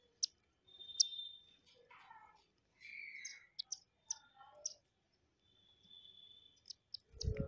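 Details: Indian silverbills, hundreds visiting rooftop seed feeders hung in bottles in the morning, give thin, high chirps and short falling notes amid sharp clicking sounds, ending with a low thump.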